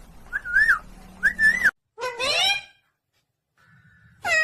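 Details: A pet talking parrot gives two short clear whistled phrases that rise and dip, then a burst of harsh, rasping, harmonic chatter, a pause, and a faint steady tone before another sharp squawk at the end.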